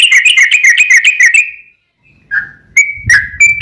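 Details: Sooty-headed bulbul singing in long ropel style as a lure for a caged bird: a fast, buzzy rattle of repeated notes fading out, then a pause and a few separate whistled notes over soft low thumps.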